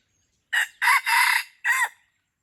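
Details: Red junglefowl crowing at Pasir Putih, Krueng Raya, during a luring or trapping outing: one loud, hoarse crow of four parts, a short opening note, two longer strained phrases, then a final clipped note, over near silence.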